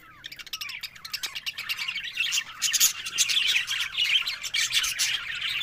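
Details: Budgerigars chattering, opening with a couple of falling whistles, then rapid clicking pulses building into a loud warbling, squeaky twitter.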